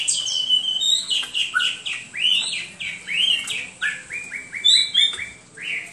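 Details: Rich, varied Hwamei song packed with rapid whistled phrases, swooping upslurs and downslurs, a few high sharp notes, and a closing series of repeated short rising whistles, delivered without pause.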